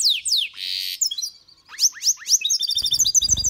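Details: Mule goldfinch and female goldfinch mating in a cage. Quick descending chirps and a harsh buzzy burst give way to bright, rapid twittering notes, while a low rumbling thump runs underneath at the end.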